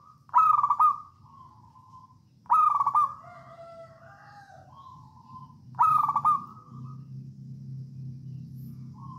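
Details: Zebra dove of local wild Javanese stock in 'songgo ratu' song, played to coax other doves into singing: three loud stuttering cooing phrases, each a quick burst of throbbing notes trailing into a softer drawn-out tone, about two seconds apart, over low background hum.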